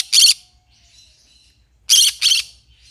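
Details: Green-cheeked conure, a pet, giving a loud harsh squawk, a pause with faint high chatter, then two more harsh squawks in quick succession.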